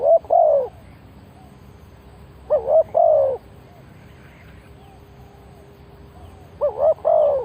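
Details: Wild spotted doves are lured with this decoy call. Three cooing phrases, each a wavering double coo ending in a longer mellow note, come roughly every three seconds over a quiet background.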